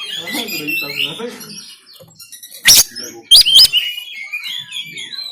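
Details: Kacer, the oriental magpie-robin, recorded by Android phone in Banten, giving a rough 'tembakan kasar' song: busy twittering at first, a quiet gap, then loud explosive cracks and ringing high whistles.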